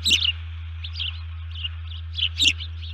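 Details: Alert calls of an upset osprey at the nest, caught by a nest camera before dawn on 1 June 2019: a loud piercing chirp, softer scattered chirps, then another strong double chirp, all above a constant low hum.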